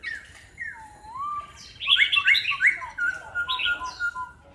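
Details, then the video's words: Two caged laughingthrushes, one an aggressive bird that rarely sings and one of six seasons, fighting and pecking each other; loud varied song of slurred up-and-down whistles, then rapid bright ringing repeated notes, several a second. "chim khướu hót đá, hót múa."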